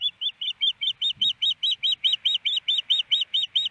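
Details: On a Montana nest in Hellgate Canyon, a female osprey waiting for her mate to bring fish gives a steady, rapid string of piercing whistled chirps, about four each second, on a late-April day after snow.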